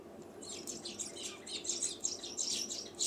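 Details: Sparrow chirping: a dense run of short, high, rapid chirps from about half a second onward, overlapping as if several birds call together, over a steady low background hum.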